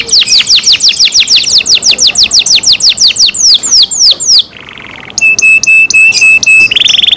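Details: Kept canary in full song, loud and bright: a fast series of repeated downward-sweeping whistles, a short low buzzy pause, then clipped notes and a rapid high trill.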